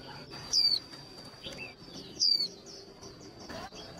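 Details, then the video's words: A female white-eye, whose call is meant to push males into quick singing for competitions, gives two bright falling whistles about 1.7 seconds apart, amid soft chirps, a faint high whine and rustling noise. "Tiếng khuyên mái kích trống nhanh líu"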